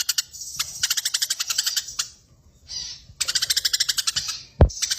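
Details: A fighting Eurasian tree sparrow rattles out long rolling series of rapid, ringing chirps, pausing briefly between runs. One sharp downward swish cuts in near the end.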